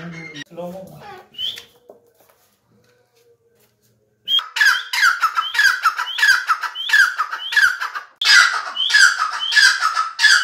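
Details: Grey francolin calling: after about four seconds of near silence with faint low sounds, loud harsh repeated phrases begin, each opening with a short rising note then a grating descending burst, about one and a half per second.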